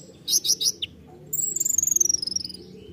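Konin song: three quick, buzzy high chirps, then a bright, rapid trill of about fifteen notes that slowly falls in pitch. Faint low background hum.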